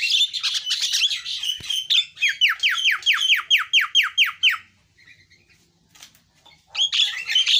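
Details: Javan myna opens with dense scratchy chatter, then a rapid series of about ten falling whistled notes, a brief lull and more harsh chatter.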